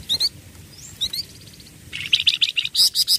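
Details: Flamboyan songbird singing in ombyokan style: short high chirps, then from two seconds a fast run of bright, sharp notes repeated several times a second, with quiet background hiss.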